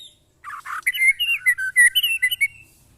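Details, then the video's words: Murai batu during a mental test with neighbours' birds. Two buzzy notes open the clip, then a string of clear, evenly spaced whistled syllables. "test mental burung murai batu bersama teman teman"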